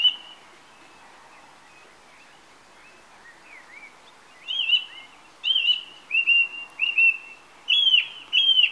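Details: On a summer evening a song thrush sits on a TV aerial, soft quiet notes giving way to a series of loud clear whistled phrases, several repeated in pairs.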